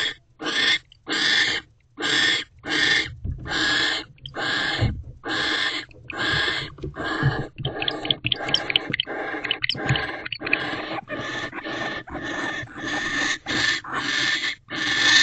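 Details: Owl pair mating at a nest box on an evening in December, 6:18 pm, the male hopping across the perch; harsh, hissing screeches come in a run of about twenty bursts over fifteen seconds, spacing tightening toward the end, with faint shuffling between.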